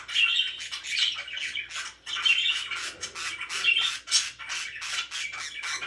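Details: Pet budgerigars, described as very happy, chirping steadily: dense warbling chatter with scratchy, buzzy squawks and short bright tweets, rising and falling in waves every second or so, indoors.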